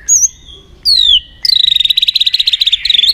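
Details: White-rumped shama in full song, played to stimulate other shamas to sing: two clear, high, descending whistles, then a rapid, loud, rattling trill of repeated notes that lasts over a second and a half.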